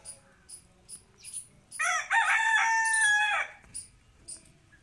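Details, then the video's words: Loud crow from a rooster, a drawn-out, strained, harmonic call lasting nearly two seconds. Brief high-pitched chirps repeat before and after it. "Rooster Crowing loud"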